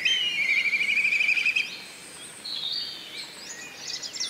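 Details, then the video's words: A quavering, whinnying trill from a black kite, steady in pitch for about one and a half seconds, then softer scattered high bird notes in the background. "Black Kite Call ! Black Kite Bird ! Black Kite Bird Sound ! Black Kite Noise ! Black KIte Scream"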